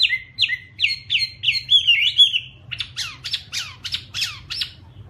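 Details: Chinese hwamei song: a series of repeated downslurred whistles at a brisk pace, then a switch to sharper, steeply descending notes that keep repeating rapidly to the end.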